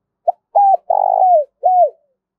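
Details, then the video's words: Low, mellow spotted dove call used as decoy sound for wild doves, one phrase of short introductory note, level coo, long vibrating descending coo and final bowed coo, with no other sounds. "Tiếng cu gay thúc và gáy gọi to rõ ít tạp âm dùng kích bổi hạp bổi"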